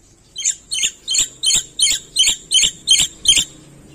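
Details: Black-winged myna singing vigorously, full of mimicked phrases and used as a training recording for a quiet bird: nine harsh, high chattering notes repeated steadily about every third of a second against a quiet background.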